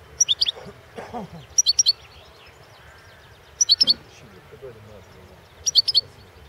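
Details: European goldfinch of the balcanica subspecies singing for a 2016 internet championship organised in Serbia; four evenly spaced bursts of rapid, bright, high twittering chirps, with a quiet low hum and murmur in the background.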